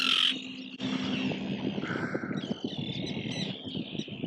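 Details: Wild parent gulls guarding swimming, flightless chicks near a small island, heard from about 15-20 metres: a sharp loud cry, then several drawn-out harsh calls with a falling, strained tone over steady background noise.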